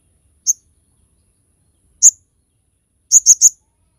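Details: Crested jay, a training and lure recording for other birds: sharp, high whistled notes, one single note, another about 1.5 seconds later, then a quick burst of three, on a silent background.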